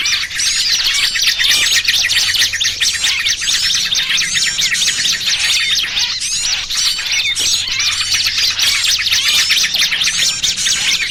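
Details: Noisy small-bird chorus used as a trapping lure: unbroken overlapping chirping, sharp squeaks and buzzy trills from numerous birds, rhythmic bursts pulsing through a dense high wall of sound, with a faint low hum.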